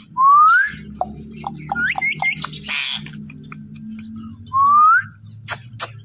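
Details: A talking pet parrot gives a loud, clear rising whistle, then a string of short chirpy notes and a hiss. The same upward-sliding whistle comes again near the end over a low indoor hum.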